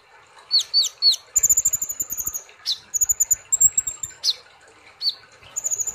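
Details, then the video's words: Olive-backed sunbird singing gacor nembak style: three quick up-down chirps, then piercing high metallic trills in repeated bursts, broken by single sharp rising notes. "Terapi kolibri Ninja ( konin ) Gacor Ngobra Nembak"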